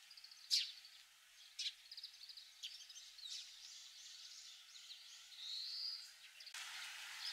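Grey-capped greenfinch song: sharp high chirps and quick twittering trills, then a drawn-out nasal buzz; a burst of hiss closes the recording.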